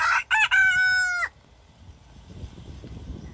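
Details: Wyandotte rooster crowing in a kitchen garden: the end of a loud crow, with two short choppy notes and then a long held tone that breaks off sharply, followed by quiet rustling.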